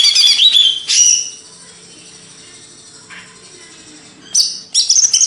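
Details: Banyuwangi greater green leafbird from Indonesia: quick whistled chirps and a sharp call open, a long quiet stretch follows, then loud rapid high chattering bursts return at the end.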